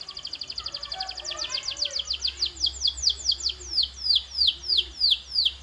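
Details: Canary song used as a training sound to make canaries sing louder and longer: a rapid trill of clipped notes gradually slowing into spaced, steeply descending whistled notes, with faint lower warbling in the background.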